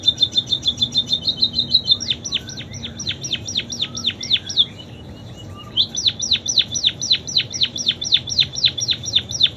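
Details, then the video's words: Munia delivering canary-style song: a fast even high trill gives way to a string of sharply dropping whistles, a brief pause, then another long run of falling whistled notes repeated about four times a second. "Burung PIPIT Full isian KENARI"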